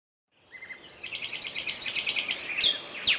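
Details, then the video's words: Bulbul singing: a brief rising whistle, then a fast run of bright chirping notes at about two per second, with a sharp high note near the end. "Садои булбул"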